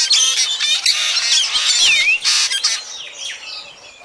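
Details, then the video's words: Black drongo sounds for night trapping of birds: dense scratchy chatter with a clear whistled note sweeping down and back up, then fading harsh phrases. "Tiếng chim Chèo Bẻo kinh tế"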